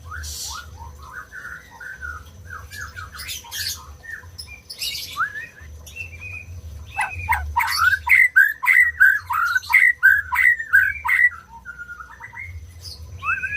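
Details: {'caption': 'White-rumped shama song intended to spur quiet birds into singing: soft varied warbling at first, then a loud, fast series of downslurred whistles with clicks, ending in gentler notes.'}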